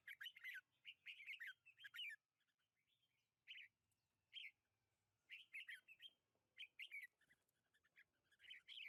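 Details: Red-whiskered bulbul singing in a lychee orchard on 21 March 2020: short, liquid, bubbly phrases of several quick warbled notes, repeated in clusters with pauses of one to two seconds between them, plus a faint low rumble.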